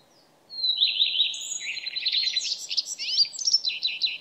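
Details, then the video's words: Common redstart singing: a clear, drawn-out high whistle opens, then runs into a fast, varied twittering phrase of scratchy notes and short trills that rise and fall, in quiet surroundings. "Leppälintu - Phoenicurus phoenicurus - Common Redstart - rödstjärt"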